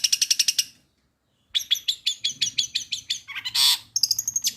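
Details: Kept long-tailed shrike singing mimicked material such as fighting sparrow and tengkek buto: a fast rattling series, a silent gap, then chattering repeated notes and a loud harsh burst.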